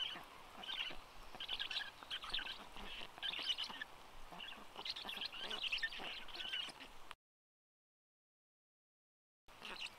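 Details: Black stork (Ciconia nigra) at a nest with chicks in Karula National Park on a rainy, cold 14 June 2022, as the father arrives to feed: high, wheezy chattering calls in uneven bursts over steady hiss, with seconds of silence near the end.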